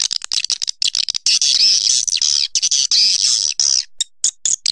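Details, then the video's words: High, hissing, buzzy swiftlet calls in long rasping strokes, mixed with scattered clicks and short chirps toward the end. "Suara walet terbaik 2020"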